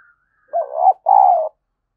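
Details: Decoy spotted dove cooing, its call used to stir up and train other doves: two low, hollow coo notes about half a second each with a short gap, the first slightly wavering, the second steadier and longer, in an otherwise quiet setting.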